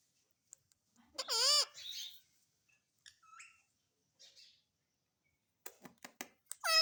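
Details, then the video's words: Pet parrot speaking indoors, reportedly saying mummy and papa: a loud squeaky rising-falling syllable near the start, a few quieter mutterings, then sharp clicks and another squeaky word at the end. "मम्मी पापा बोलने वाला तोता _ Mummy ka Pyaara Mitthu _ Parrot Talking Video"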